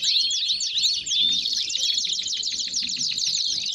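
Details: Belgian canary in full song, opening with a few clear rising whistles that break into rapid, chattering high trills carried on without pause.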